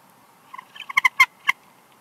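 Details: Wild bald eagle pair at their nest at Big Bear Lake, California, on 4 March 2021, calling during an incubation changeover: a short run of chittering notes that build into several loud, sharp, harmonic squeaks over about one second.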